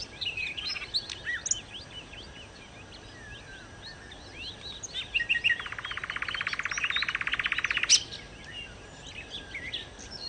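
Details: Nightingale, or sikatan londo, singing steadily for bird luring: quiet scattered twitters and slurred whistles give way to a long, dense, buzzy rattle lasting about two seconds, then softer chirping again.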